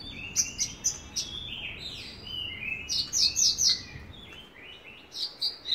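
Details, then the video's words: Javan bush lark in full gacor song, mixing high clicking ticks, descending whistled slurs and rapid triplets of bright chirps, with phrases tumbling quickly one after another. "Branjangan gacor"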